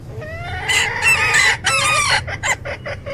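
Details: A flock of various chickens: loud rising squawks and harsh clucks in quick bursts, then short clipped clucks trailing off.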